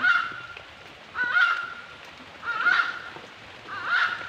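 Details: Repeated honking bird calls, four nasal, harmonic notes spaced roughly every 1.3 seconds, each slightly rising then falling, clear and dominant over a quiet outdoor background.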